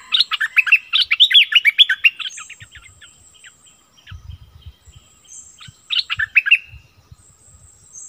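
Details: Decoy streak-eared bulbul, recorded 16 February 2021, sings two rapid bursts of bright, jerky chattering notes, the second after a pause, with a thin high drawn-out whistle and soft low knocks between phrases.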